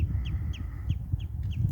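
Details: Common redshank flight call on a sunny estuary at low tide: five clear, downward-slurred piping notes about every third of a second, given as it takes off in alarm, usually first to notice anything unusual; heavy wind rumble.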